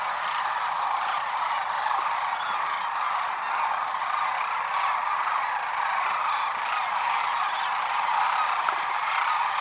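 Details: Sandhill cranes during spring migration along the Platte River at Gibbon, Nebraska, on March 6, 2016; a dense, unbroken chorus of rolling, overlapping calls from a large flock, steady throughout without pauses.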